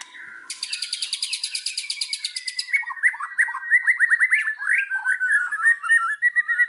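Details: White-rumped shama from Indonesia, a lure song to prompt other birds: a fast rattling trill, then a long series of rich rising whistles and quick slurred notes at a steady pace.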